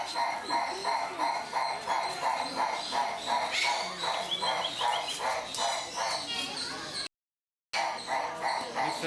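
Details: Livingstone's turaco in captivity at Mysore Zoo, giving a long, steady series of harsh croaking notes, about three per second, with rich overtones; a brief break near the end, faint background noise throughout.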